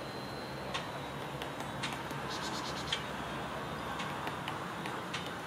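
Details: Great spotted woodpecker (Dendrocopos major) in Călărași, Romania, giving sharp, clicky single 'kik' notes at irregular intervals, some bunched together, over a steady hiss and a thin high whine.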